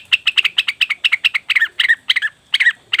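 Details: Leafbird (cucak wilis or rengganis) chattering as a lure for wild birds: rapid, bright chip notes about four a second, breaking into scratchy, jumbled double notes.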